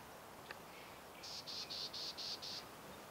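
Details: A single run of six rasping, evenly spaced buzzy notes from a black-tailed gnatcatcher in Tucson, Arizona, at Sweetwater Wetlands. A faint click comes first, and soft steady background noise runs throughout.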